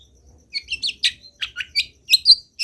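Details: Long-tailed shrike's varied, filler-rich song used to get other shrikes calling: a quick jumble of twittering, squeaky and slurred notes with rapid changes in pitch.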